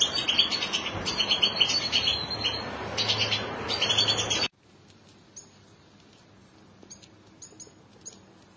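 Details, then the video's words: A family of European goldfinches: a dense burst of bright twittering chirps for about four seconds, then a quiet stretch with a few thin, high call notes. "عائلة الحسون"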